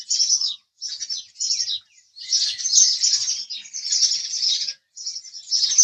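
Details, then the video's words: House sparrow chirping in dense, harsh bursts, short chirp clusters broken by brief silences, then longer continuous stretches of overlapping chirps; no other sounds heard. "house Sparrow Chirping Sound"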